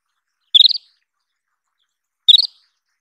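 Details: Isabelline wheatear calling: two brief bursts, each a quick stutter of about four high, slightly rising pulsed notes, roughly 1.7 seconds apart, against a silent background.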